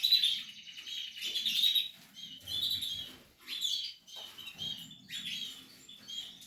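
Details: Nesting Portuguese harlequin canary chicks from a breeding setup give loud, high, squeaky chirp bursts, repeated roughly every second and rising and falling in strength.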